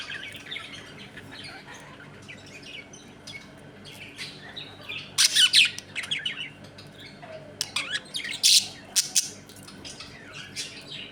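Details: Budgerigars in a home colony, eating, playing and fighting: bursts of harsh squawks and fast chirps, loudest in the middle and near the end, with quieter warbling chatter between them.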